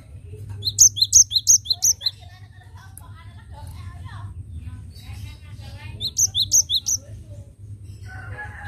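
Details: Cinereous tit song used as a lure to attract birds: two bursts of high, sharp, repeated chirping notes in quick rhythm, about three notes a second, separated by quieter scattered twitters and a low background hum.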